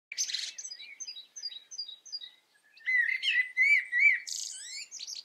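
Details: European goldfinch in the Eifel, Germany: a run of thin, high, evenly spaced tinkling notes, then a louder liquid twitter of buzzy and rolling phrases, with no other sounds.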